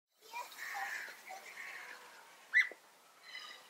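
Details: European bee-eaters trading contact calls, the onomatopoeic "prüt" answered by another bird to signal all is well; several rolling mid-pitched calls overlap, then one sharp, louder note stands out near the end.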